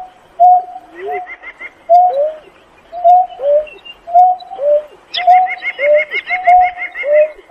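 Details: Calling to gather the flock, a Painted-snipe repeats paired notes, a level hoot then a lower curved one, about every second. Loud rapid higher chattering joins in the second half.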